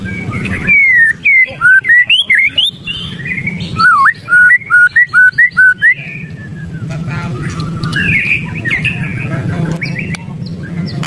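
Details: White-rumped shama, agitated, giving a series of loud, clear whistled notes that swoop down and up, packed tightly between 1 and 6 seconds, then a softer warbling phrase, over a steady low hum.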